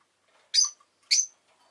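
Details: Pet rosy-faced lovebirds, one of them orange, give two sharp, high, harsh chirps about half a second apart, each briefly rising and falling, in an otherwise quiet room.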